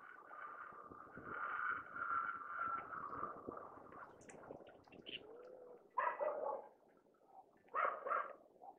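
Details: Six greater white-fronted geese, two adults leading four subadults, migrating south to Kinmen to winter or rest; filmed with a Sony camera. A steady low background murmur, then two loud, harsh, harmonic honking bursts about two seconds apart.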